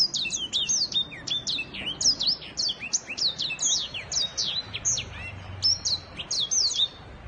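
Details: Black-throated canary in full 'giọng vip' song, a fast, unbroken run of thin, high chirps and slurred whistles tumbling one after another, several notes per second, lively and varied throughout, with faint low rumble underneath.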